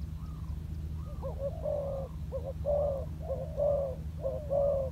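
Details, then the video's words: Decoy spotted dove practising on the ground: soft coos that begin faint and wavering, then build into fuller, louder rounded phrases roughly once a second, with a constant low background hum. "លលកធ្នាក់ចុះដីចេញក្បាច់បណ្តើរៗហើយ - Pikat Terkurkur trianing on land"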